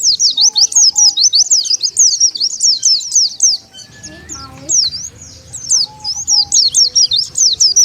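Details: Oriental white-eye used as a lure for wild birds: continuous high zigzag twittering, briefly dipping midway, then resuming in quick, loud chirps.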